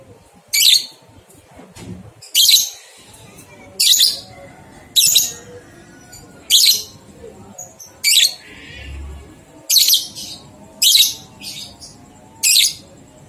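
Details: A lovebird sings ngekek, intended to get two-month-old young lovebirds singing: ten harsh, high, screeching bursts, each very short, repeated about every one to one and a half seconds, with a faint steady high whine behind.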